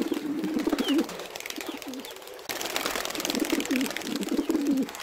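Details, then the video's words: Wild pigeons outdoors in nature, low rolling throaty coos repeated several times under a loud, hissing, rustling background. "صوت الحمام البري الهديل"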